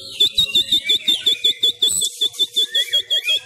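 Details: Home-trained Sumatran kacer (Oriental magpie-robin) in fighting-style song during the Covid-19 lockdown; one high piping note repeated steadily about five to six times a second, then a short varied phrase before the repetition resumes.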